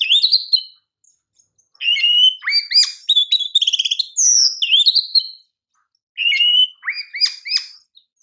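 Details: Champion Oriental magpie-robin (kacer) song for master training, with clear rising and falling whistles, a fast ticking series and bright slurred notes in two long phrases broken by brief pauses, no other sounds.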